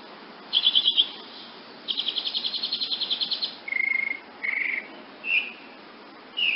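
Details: Wood nymph hummingbird giving a fast stuttering trill of high notes, then a longer rapid buzzy series, followed by four separate short buzzy chips spaced about a second apart.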